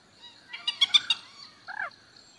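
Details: Common moorhen giving a quick series of sharp, harsh ticking notes, then after a brief pause a single short arched croak that drops in pitch, with a faint steady high hum behind.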